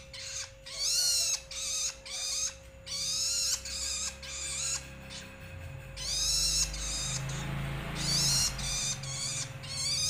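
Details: Young Long-tailed Shrike uttering a rapid series of scratchy, grating calls, some long and drawn-out, with brief gaps between bursts; a faint low rumble and a constant hum sit in the background.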